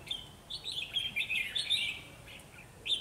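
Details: Decoy red-whiskered bulbul singing hard to lure wild birds into a trap; a continuous run of bright, warbling, slurred whistles with short clipped notes, ending after a pause in one sharp chirp.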